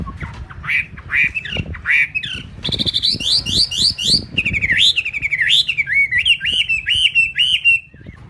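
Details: Black laughingthrush kept free-flying without a cage, bathing on its own, pours out loud, varied whistled phrases, rising and falling notes run together with harsh squawky bursts, in a steady rush for eight seconds.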